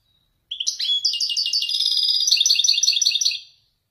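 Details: European goldfinch, Wedani type, sings an authentic Marrakech-style descending phrase: three seconds of fast, ringing, jingling notes, opening with a few slurred chirps.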